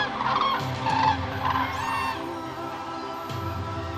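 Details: Cranes wintering at Lake Hula nature park in the far north of Israel, where tens of thousands stop in winter: overlapping rolling, trumpeting calls in quick irregular bursts, with a steady low hum and other birds beneath.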